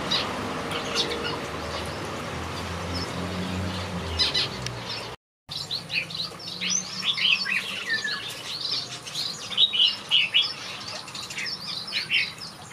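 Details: Backyard aviary finches: sparse faint twitters at first, then after a brief gap a dense run of high, rapid chirping notes from several birds.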